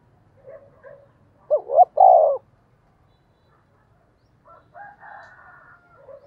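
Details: Seasoned decoy spotted dove calling: a brief murmur, then two quick hoots and a long burry coo, followed after a pause by a softer, drawn-out trailing phrase, over faint low background rumble.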